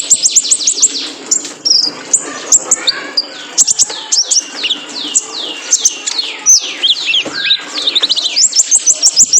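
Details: Male kolibri ninja sunbird, played to train cage birds: fast series of high, sweeping downslurred whistles and sharp chips, rolling into rapid trills, loud and almost unbroken.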